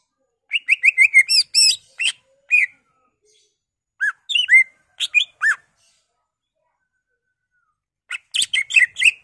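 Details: Greater green leafbird singing to stimulate other leafbirds, opening with a fast run of repeated whistled notes, then shorter bursts of squeaky slurred whistles and chirps split by quiet pauses.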